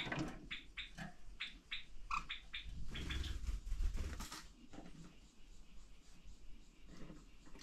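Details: Two pet Java sparrows fighting at 6:30 am on 14 July give a run of sharp, high chips, several a second, then a brief scuffling burst, with cicadas outside and the owner shouting to stop the quarrel over a low room hum.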